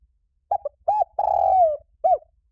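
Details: Spotted dove calling as a lure to stimulate doves: two short notes, one arched coo, a sustained buzzy note gliding down, and a final downslurred coo, all clean against a quiet background.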